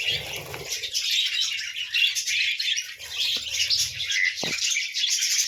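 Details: Budgerigars calling in the morning: a lively, continuous mix of squeaky chirps and warbled twitters, with a couple of sharp clicks.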